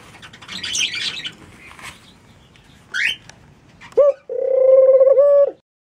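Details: Mourning dove coo: a brief upward-swooping opening note, then a sustained low, pulsing hoot of over a second, preceded by rustling, fluttering sounds and a few short higher chirps.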